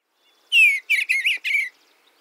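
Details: Eastern Bluebird (Sialia sialis) gives four soft, breathy, melancholic warbled chur notes over about a second, each sliding downward, with sparrow-like stuttering chit chatter between them.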